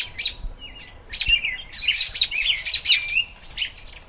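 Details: American robin singing in spring, bright chirps and slurred whistled notes in quick bursts, some phrases sliding downward, with brief gaps between clusters.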